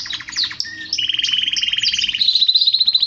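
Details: Male canary singing to stir other males: a few sharp chips, then a fast mechanical rattle at a lower pitch, switching to a higher, evenly pulsed rattling trill.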